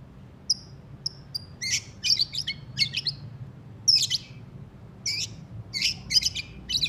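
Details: Moulted white-rumped shama giving rough twittering: a few thin high whistles, then repeated harsh, buzzy, scratchy bursts in quick irregular succession, all high-pitched.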